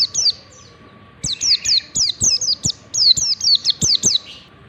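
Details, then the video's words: A warbling white-eye sings the ngalas style used to train other white-eyes: a brief pair of notes, then a long, rapid chain of high whistles each sweeping downward, with regular sharp clicks and a constant low hum. "pancingan pleci ngalas standar 123, PLECI BELAJAR NGALAS LANGSUNG IKUT NGALAS"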